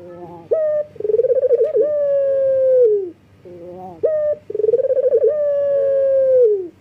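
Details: Two full mating calls from a male local collared dove in breeding condition summoning females. Each begins with a brief coo, then a quick trembling roll, and ends in a long, steadily descending hoot, with about a second between them.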